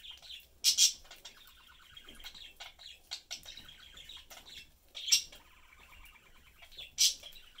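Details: Pet parakeets, a blue male, yellow female and their young, chatting and eating together; buzzy warbling chatter punctuated by several sharp high chirps at irregular intervals.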